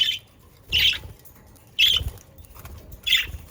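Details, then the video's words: Budgerigars kept near Den Haag in the Netherlands give grating, buzzy squawks roughly once a second, each short and harsh, separated by near silence with soft low rumbling. "Sounds of Australian parakeets to stimulate your parakeets to sing"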